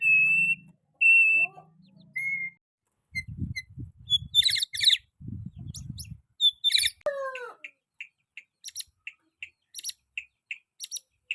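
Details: Young white-rumped shama singing, recorded as a master tape for teaching other shamas to learn sounds: clear whistled notes, harsh buzzy bursts, a falling slurred phrase, then short high chips repeated about once a second, with low thumping noise underneath.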